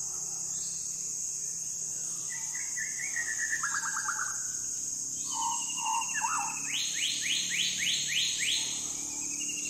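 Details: Andaman shama from South Andaman delivering a varied song of warbled whistles, a quick rattling trill, then a run of rapid rising sweeps repeated about six times, with a steady shrill insect drone throughout.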